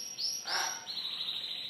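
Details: A canary in a bird shop sings high, sweet sustained whistles that run into a rapid, even trill, with a brief rougher burst near the start.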